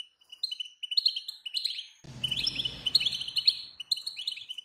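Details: European goldfinch female calls played to prompt a male's song: quick high twittering notes, then continued chirping over a low rumbling background noise in the second half.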